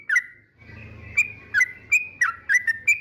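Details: Yellow-vented bulbul song that is said to provoke rival birds: short liquid whistled notes, each flicking up or down, given about three a second over a faint low hum.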